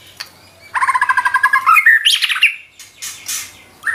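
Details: White-rumped shama singing isian phrases in nembak style: after a brief pause, a rapid rattling series of lower notes rises into quick slurred whistles, then scratchy high bursts.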